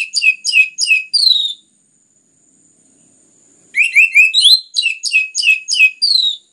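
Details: Orange-headed thrush song used as a lure to stimulate other birds to sing: two bursts of rapid, repeated downslurred whistled notes, richly varied and tightly packed, separated by a few seconds of silence.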